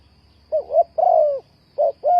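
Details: Spotted dove, used as a lure bird for trapping, giving low cooing phrases: two short rising-falling notes then a long, gently descending coo, repeated; faint steady hum underneath.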